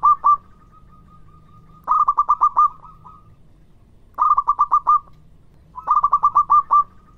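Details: Zebra dove of a local strain calling to draw replies from other doves: each phrase opens with a level humming note, then breaks into five or six quick, rounded coo pulses; phrases recur about every two seconds.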